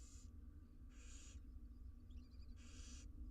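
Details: Three long rasping hisses from wild barn owl nestlings fed inside a monitored Israeli nest box, each burst about half a second, with faint scratchy clicks between and a low constant hum beneath.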